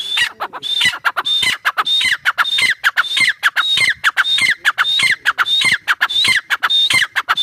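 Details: Teetar, or grey partridge, calling steadily: repeated phrases of a sharp high whistle followed by grating, squawky notes, about one and a half phrases per second, loud and unbroken throughout.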